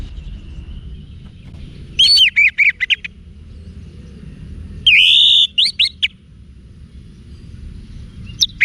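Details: Wiksar song of an orange-headed thrush, meant to train caged birds. Two short bursts of clear whistles: one starts with a drawn-out rising note and the other is a quick string of sharp chirps. Both stand over a steady low rumble.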